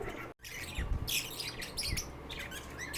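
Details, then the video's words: A lovebird chirps and sings in quick, high, scratchy bursts, sharp squeaky notes tumbling over one another with brief pauses, over a low background rumble. "Lovebird Singing & Chirping Sounds"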